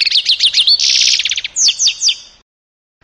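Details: Canary-goldfinch mule from 2018 singing fast, high twittering trills: rapid repeated chirps, a dense buzzy roll, then several slurred descending notes before a short pause.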